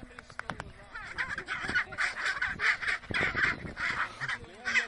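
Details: Chinstrap penguins fighting on the Antarctic Peninsula trade harsh, braying squawks in rapid overlapping bursts, with sharp clicks and scuffling between calls.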